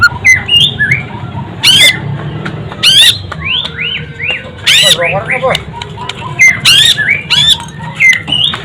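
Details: White-rumped shama (murai batu), called a golden-voiced bird, singing loud arched whistles and sharp squawking notes with brief high bursts; men talk in Indonesian in the background.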